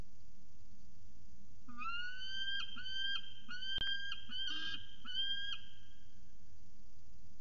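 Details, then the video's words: Drawn-out, high, whining cries from a peregrine falcon at CSU Orange on 17 February 2019, a series of long level wails broken by brief catches, with a sharp click in the middle. "Peregrine Falcon Little Budhin Has A Lot To Say"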